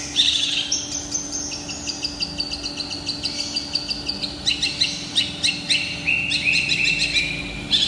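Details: Indonesian long-tailed shrike singing continuously: a dense stream of high, rapid, scratchy chatter and stuttering notes that grows louder and busier in the second half, steady faint hum in the background.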